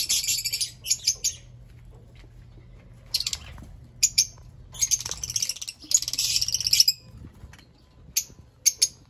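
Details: Short bursts of piercing, high chirps from Fischer's lovebirds, including a sustained screechy chatter near the middle, with quiet intervals between outbursts.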